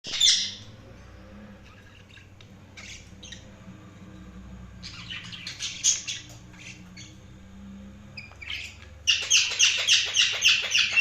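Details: Budgerigar chatter: soft scattered chirps and warbled bursts, then a loud run of rapid, buzzy, high chirps repeated several times a second over the final two seconds.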